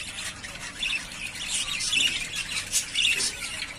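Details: Three pairs of yellowface spangle budgerigars ready to breed give a dense, scratchy warbling chatter with sharp chirps that peak around two and three seconds.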